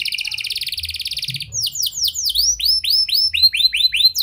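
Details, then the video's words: Canary song in a prenjak and lovebird style, meant to stir quiet canaries into singing: a dense buzzy high trill gives way to separated, curving whistled notes repeated at an uneven pace. "Pancingan Kenari Gacor Cengkok Prenjak Lovebird! Ampuh Buat Memancing Kenari Macet Agar Gacor"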